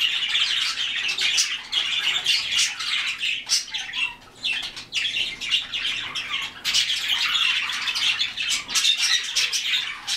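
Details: Harsh squawks and chirps from several white-faced cockatiels come in bursts separated by brief lulls, with a short, lower whistled note at the four-second mark.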